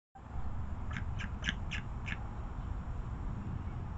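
A young bald eagle gives five short, thin, squeaky chirps in quick succession over about a second, against a steady low rumble of wind.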